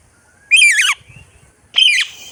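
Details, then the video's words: A parakeet gives two harsh, grating squawks, each about half a second long, wavering in pitch and dropping at the end, spaced roughly a second apart. "Parrot Sounds , voice টিয়াপাখির ডাক"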